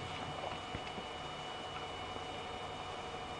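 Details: Steady broadband rumble like an idling vehicle engine, with faint hum tones and no clear animal calls.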